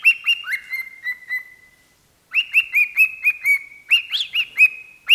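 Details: Parrot sings at a microphone, giving a fast string of bright whistled notes with a long level whistle, a short silence, then another run of quick hooked whistles.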